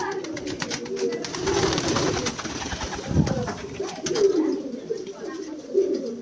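Racing pigeons give low, throaty rolling coos, repeated in soft bursts.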